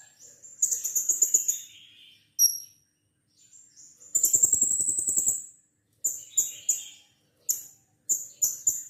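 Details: Lure song of a caged blue-crowned hanging parrot, meant to set another captive bird singing: two shrill, rapid trill bursts, then a quick run of short, piercing high chirps in uneven groups.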